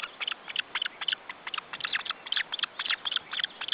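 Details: Osprey chicks being fed at their nest in Estonia, June 2012: quick series of short, high chips in irregular bursts, about three to four per second, clear over low background.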